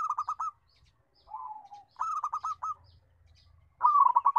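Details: Loud local zebra dove cooing: quick pulsed coo runs alternate with a softer, lower gliding trill, followed by another rapid rolling phrase; faint low rumble underneath.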